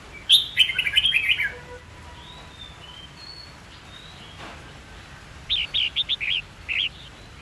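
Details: Red-whiskered bulbul fighting song used to train young birds to learn song: a loud warbled phrase of rich whistled notes, soft thin whistles, then a quick burst of five to six bright repeated notes.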